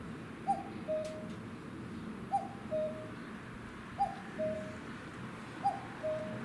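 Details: Wild common cuckoo on a utility pole near a home garden, late May evening around 22 degrees; four clear cuck-oo phrases, a short higher note dropping to a longer lower one, spaced roughly every one and a half seconds.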